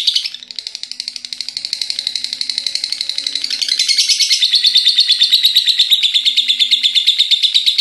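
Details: Pet lovebird in continuous ngekek chatter, reportedly lasting nonstop until morning: a rapid pulsed high trill that begins softer and swells steadily louder, shifting in tone around halfway.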